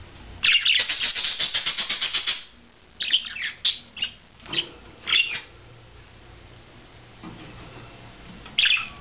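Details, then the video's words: Budgerigar performing a courtship display: a two-second rasping warble, then several short squawky chirps, a quiet pause and one final chirp. "Perruche Ondulée Parade Amoureuse"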